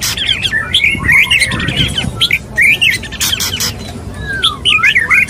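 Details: Male white-rumped shama courting a female: loud harsh squawks open, then twisting whistled notes and chirps, sharp clicking bursts, and a long descending slurred whistle near the end.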